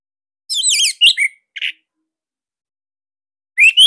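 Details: Bali orange-headed thrush song used as a master for training caged birds: a rapid twittering warbled phrase, two short falling notes and a buzzy burst, then silence before a rising whistled fragment begins.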